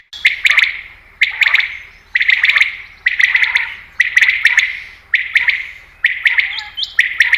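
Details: Common quail call for hunting lures: a steady series of loud, sharp bursts of several rapid clipped notes, one burst about every second, clear and without background noise.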